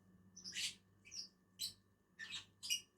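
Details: Two lovebirds (Agapornis) eating together on a tree give short, high chirps in separate bursts, about five across three seconds, with a faint steady hum underneath.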